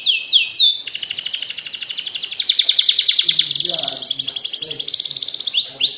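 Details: Canary song used as a masteran tutor recording to spur lazy canaries into ngekek singing: high sweeping upslurred whistles open into long fast rattling trills, phrases shifting pitch, faint low murmur around mid-phrase.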